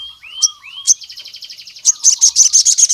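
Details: Javan cuckoo-shrike song used to call rival males: slurred whistles rising near the start, then a long buzzy trill and a fast series of sharp high notes, with a low whistled background bird.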